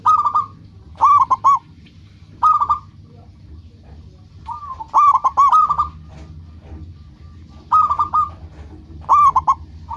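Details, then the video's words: Local zebra dove singing actively to draw answering rivals: clipped phrases of two to four bubbling coos repeated irregularly, with one longer sliding phrase midway, over faint low background noise. "Perkutut lokal gacor menarik perhatian lawan langsung pada nyaut semuanya"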